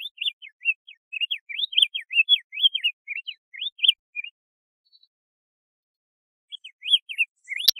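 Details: Diademed tanager song: a fast chattering run of short whistled notes, each sliding up or down, for about four seconds, then a pause and a brief second burst, with no other sounds.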